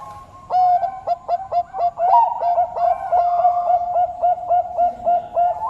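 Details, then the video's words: Loud, close cooing from a Bangkok-type zebra dove: quick, evenly spaced mellow notes with small upward flicks, briefly merging into a stretched tone midway before the rapid pattern resumes to the end. "𝗦𝗼𝘂𝗻𝗱 𝗼𝗳 𝗕𝗮𝗻𝗴𝗸𝗼𝗸 𝘁𝘂𝗿𝘁𝗹𝗲𝗱𝗼𝘃𝗲"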